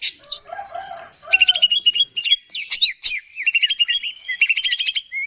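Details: Singing greater green leafbird, gacor style, a lure to get birds singing. A few low warbled notes open, then trilled whistles and quick sharp chirp series follow in short lively bursts.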